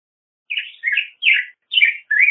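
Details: Black-headed grosbeak, 18 to 19 centimetres long, ranging through Canada, the United States and Mexico, migratory in the first two. Five hoarse, burry phrases spaced evenly over two seconds.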